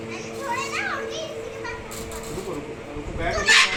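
A Moluccan cockatoo imitates human laughter in a run of voiced, bouncing 'ha-ha' notes, ending in a sharp, harsh screech; a steady electrical hum sits underneath.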